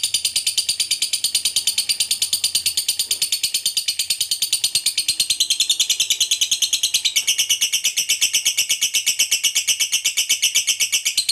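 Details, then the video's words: Extended ngekek trill of a fighter lovebird, meant to stir other fighter lovebirds; one continuous, very fast, shrill chattering run with a slight change in tone midway and no breaks. "Pancingan Lovebird Ngekek Panjang SUPER AMPUH, Ngetik Ngekek Bikin LB Fighter Terpancing EMOSI"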